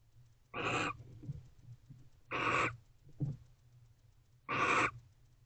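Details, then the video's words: Barn owl pair in a nest box, shown sharing affection late at night at 11:57 pm on 19 November 2023, giving varied vocalizations: three harsh, broadband hissing screeches about two seconds apart, each roughly a third of a second long, with a faint short rasp between. "Barn Owls #AvaAndBeau Expressing Affection, Varying Vocalizations."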